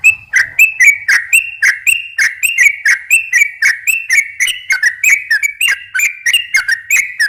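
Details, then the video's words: A sooty-headed bulbul sings a lively ropel, slow and long variants, used as a lure for wild bulbuls: quick, bubbly two-tone whistles with crisp clicks, tightly repeated without pause. "kicau suara trucukan gacor ropel pelan dan ropel panjang ini cocok tuk memancing trucuk bahan ombyok"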